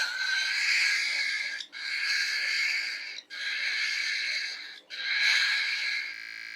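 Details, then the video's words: A falcon gives four long, harsh, wheezing screams, each about a second and a half, with brief gaps between them; the odd rasp is likened to a pig's squeal. "SUARA ANEH BURUNG FALK"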